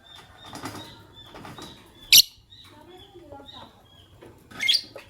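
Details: Fischer's lovebirds, a white albino and a pastel green, chirping in the morning: a thin whistled note held near one pitch, broken by two loud, sharp, buzzy squawks about two and a half seconds apart, with soft clicks between.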